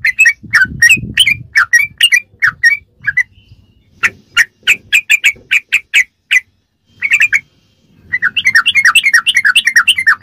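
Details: Sooty-headed bulbul performing ropelan song for training captive birds: runs of quick bright chirps broken by short pauses, ending in a dense, rapid chattering sequence, with some low rumble early on.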